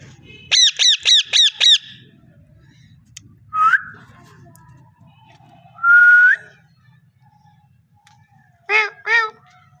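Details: Parrot producing five quick clipped harmonic notes in a burst, then separate rising whistles and a pair of arched squawks near the end, set against quiet room hum.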